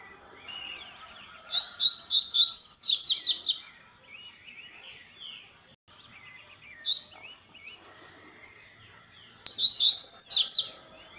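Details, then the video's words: Double-collared seedeater singing at dusk: two bursts of rapid, high, buzzy-whistled notes that climb into a fast sweeping trill and last about two seconds each, with soft twittering between the bursts. "COLEIRO CANTANDO NO ENTARDECER"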